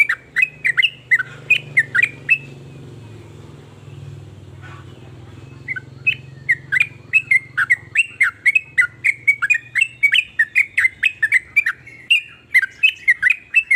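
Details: Sooty-headed bulbul in energetic 'nrooel' singing: quick chirps at the start, a pause filled by a low rumbling hum, then a long unbroken stream of rapid, sharp, slurred notes.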